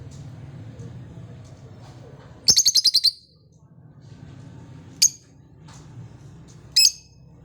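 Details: A pair of lovebirds kept at home. One gives a quick burst of about six very high, sharp chirps. Two single high chirps follow a few seconds apart, over a low indoor hum.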